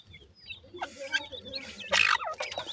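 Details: Teetar (francolin) chicks fighting with their mother after feeding. Scattered high chirps follow a quiet start, then a loud, sharp burst of cheeping comes near the end.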